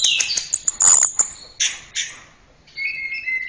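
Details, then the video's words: Short fragment of Orange-headed thrush song: a few high whistles and harsh chips, then a pause and a steady two-toned whistled note. "Masteran Suara Burung Anis Merah"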